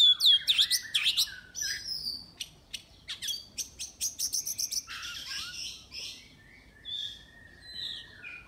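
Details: A contest Oriental magpie-robin from Miri, Sarawak, delivers loud sweeping whistles and a rapid series of sharp clicking chips, followed by softer, lower warbled notes trailing off.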